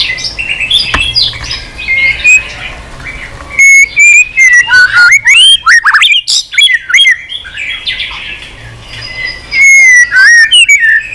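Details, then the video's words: White-rumped shama, singing continuously and flicking its tail on the perch, delivers many unusual voices. Loud, varied whistled phrases swoop up and down in rapid bursts, separated by brief pauses. "chòe lửa hót nhiều giọng lạ"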